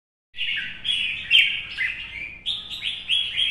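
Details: Red-whiskered bulbul, an old wild-caught bird kept caged in Vietnam, singing competitively in the morning sun: bright warbled whistled phrases, rising and falling, in quick bursts after a brief silence.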